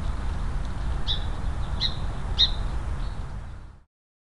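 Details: Wild Song Sparrow in Willamette Valley, Oregon, scolding a bobcat at a trail camera: a few sharp, high chip notes spaced about half a second apart over steady low rumbling noise, ending abruptly.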